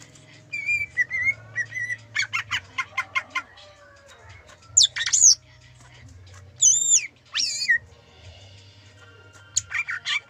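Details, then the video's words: Gayo-type greater green leafbird singing a song that imitates the zebra dove: a loud, varied mix of clear whistles, quick rattling chips and high ringing slurred notes, delivered in bursts separated by short pauses, with a faint low hum underneath. "Cucak ijo gayo Isian perkutut"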